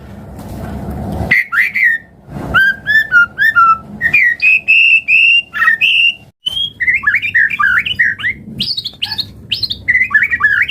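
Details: White-rumped shama song used to stimulate other birds to sing: crisp whistled notes repeated in sequence, rising and falling tones, then dense rapid warbling with high swooping whistles.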